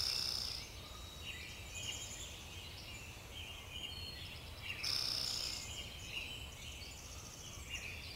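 Pine siskin giving a busy run of high, thin twittering notes, about four a second, with two longer, buzzy, steady high notes, over a low steady rumble.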